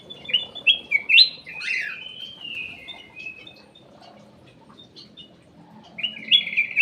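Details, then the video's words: Ruby-throated bulbul (kutilang emas) lure song from an aviary: a rapid series of loud, rising and falling whistles slurs into a long, wavering tone. After a quiet gap, bright warbled notes start again. "PANCINGAN CUCAK EMAS \ KUTILANG EMAS"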